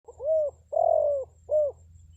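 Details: Spotted dove lure call, used to draw wild forest birds to answer: a three-part coo phrase, a short soft coo, a longer drawn-out middle coo, then a short final coo, over a low steady hum.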